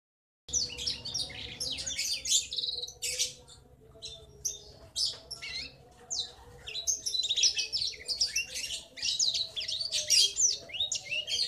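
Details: Young male black-throated canary giving its long rolling ngriwik chatter, a sound used to tell its sex: dense high twittering of rapid chirps and trills, sustained with brief pauses, faint low hum beneath.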